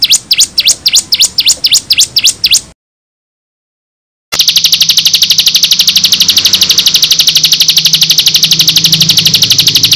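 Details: Bar-winged prinia song used as a lure so other prinias answer, with 5-second pauses. A run of rising, whistled notes, a short silence, then a dense, even high trill pulsing four times a second.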